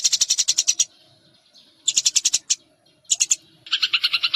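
Munias give bursts of rapid, high, thin chipping notes, about a dozen a second, ending in a slightly lower, buzzier rattle.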